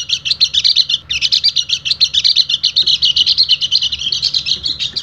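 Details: Oriental white-eye, a dakun pleci, calling continuously to rivals: rapid, dense run of high, sharp chirping notes with a steady pulsing rhythm and no breaks, used as a training lure for other birds.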